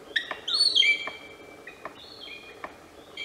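A Palm Cockatoo gives a loud, slurred, whistled call, then softer, drawn-out whistles, with a few sharp clicks between them.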